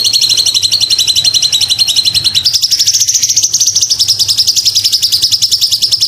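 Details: Sumatran leafbird singing a tutor song for songbird training: dense rapid pulses that step upward in pitch midway and continue as a steady high chattering trill.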